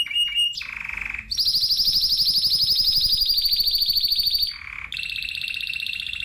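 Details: Spanish timbrado canary: short notes, a lower buzzy section, then a long loud rapid rattling trill lasting about three seconds, another buzzy note, and a lower trill, with faint background hum.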